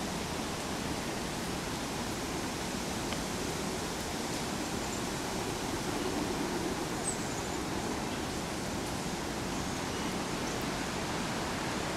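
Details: Steady broadband rushing like flowing water or wind fills the recording, with no clear animal calls.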